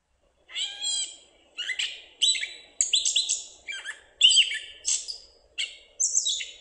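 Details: Gray catbird in a playback recording: an opening mewing note followed by a jerky, varied series of short squeaky, scratchy phrases with pauses between them, in a quiet setting.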